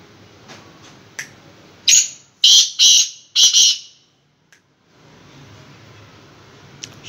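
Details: Black francolin, a bird said to be in moult, giving a loud, harsh call of five rasping, grating notes in a quick burst lasting under two seconds. The notes sound scratchy and forceful. Faint ticks and snaps come before it, then quiet.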